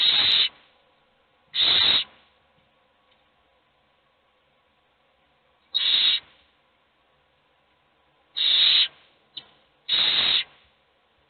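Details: Hungry owl chicks in a nest box begging for food, only one being fed; harsh hissing screeches about half a second long, five bursts at uneven gaps over eleven seconds, with quiet pauses between.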